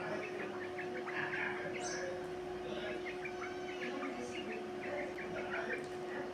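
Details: A quail that had lost its vigour is now recovering, circling and calling again: short, high chirping notes repeated in quick bursts throughout, over a steady electrical hum.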